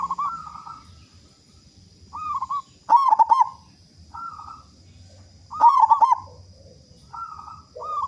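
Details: Strong-voiced local zebra dove singing as a lure to make other doves sing soon; short wavering coos alternate with loud fast-pulsed rolling phrases about every three seconds, over a constant high whine.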